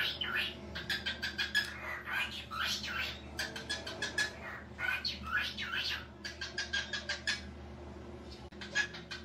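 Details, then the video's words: A talking cockatiel chatters in quick, scratchy, speech-like phrases broken by sharp squawks and chirps, over a low steady hum. "Calopsita falando"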